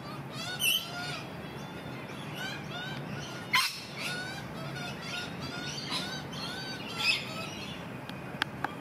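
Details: Magpie chick being fed by an adult, giving a few short, harsh, rasping calls spaced about three seconds apart over steady broadband background noise, with faint scattered chirps between them.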